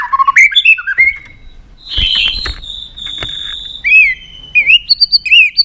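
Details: White-rumped shama, excited and flicking its tail, gives short slurred whistles. Knocks and a steady high whine fill the middle of the clip, then it returns with rising whistled phrases.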